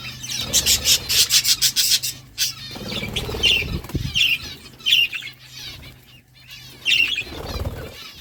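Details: Budgies feeding on seeds, opening with a run of rapid clicking ticks, then several separate high, slurred chirps spaced about a second apart against a low background hum.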